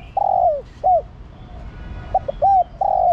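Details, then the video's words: Hen spotted dove calling the male bird. Mellow low coos come close together: a long wavering note, a short hooked one, then a rapid pair of brief notes leading into another sustained coo. "Cu gáy mái thúc trống + gọi trống cực nhay. chim cu gái mái kích bổi gáy cả ngày"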